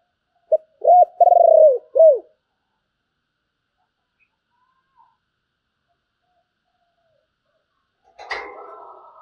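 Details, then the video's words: Spotted dove singing in the 'giọng thổ' style with a deep 'bầu' voice: one phrase of a short note, a long rolling coo and two closing hooked coos, then silence and a sudden burst of handling noise near the end. "cu gáy giọng thổ, Bầu nghe rất hay"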